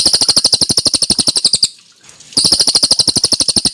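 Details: Tit-babbler in clear, constant song used to tutor white-rumped shamas: rapid series of loud, ringing notes repeated at a steady, fast tempo, interrupted once by a half-second pause before the run resumes.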